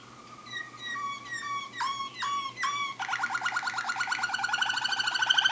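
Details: Waterslager, or Malinois, canary singing in Bucharest, Romania, 2015: spaced falling whistled notes, then a rapid rising rolling trill that grows louder.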